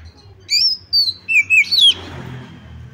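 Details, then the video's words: A female white-rumped shama, calling to prompt other shamas to sing, gives five loud whistled notes in about one and a half seconds, a high level pair, then lower slurred ones, with faint hiss afterward. "Memanggil Kacer lain Agar ikutan GACOR dan NJERIT \\ KACER BETINA"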